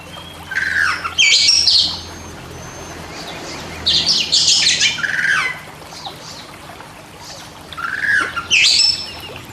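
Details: Oriental magpie-robin master song to coax quiet or sulking caged birds into singing: three loud, energetic outbursts of harsh, chattering, mixed high notes separated by short quiet gaps.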